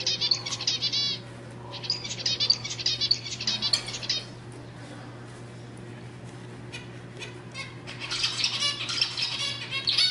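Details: Zebra finch song played to encourage females to mate: buzzy, rattling phrases in the first four seconds, a quiet pause, then another burst of harsh buzzy notes near the end over a low steady hum.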